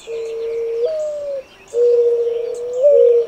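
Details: Two low cooing phrases from a Streptopelia turtle dove. Each holds a long steady note and then jumps to a slightly higher pitch that slides back down. Thin, distant bird chirps sound above.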